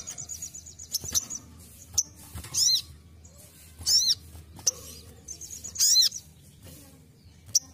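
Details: Ruby-cheeked sunbird giving its basic song, meant as a training recording: high ticking trills followed by loud arched notes with falling harmonics, roughly every one to two seconds, plus isolated sharp clicks.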